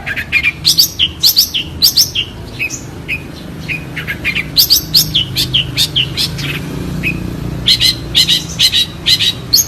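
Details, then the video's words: Clear-voiced long-tailed shrike singing for song training, a busy jumble of sharp high chirps and short slurred notes in quick irregular bursts, with steady low background rumble. "Burung Cendet Suara Jernih"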